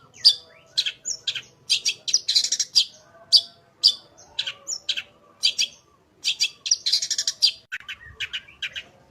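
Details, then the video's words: Long-tailed shrike song, recorded as a master track to prompt shrikes to sing: a rapid run of bright, sharp chirps and buzzy high notes in bursts with short gaps, varied phrases, and a quiet background. "Burung Cendet Gacor full isian suara paling jernih cocok buat masteran cendet agar cepat bunyi gacor"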